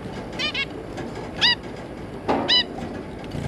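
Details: Zebra finch family of two parents and three juveniles, 3 July 2022: a double nasal call, then single and doubled honking calls at intervals of about a second, over faint background noise.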